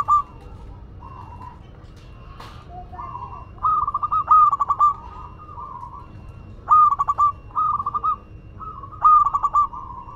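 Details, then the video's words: Madura zebra dove singing repeatedly: soft introductory coos followed by bursts of quick stuttering notes, phrases recurring every two to three seconds, with a brief click-like noise early on. "Perkutut Lokal Madura Gacor"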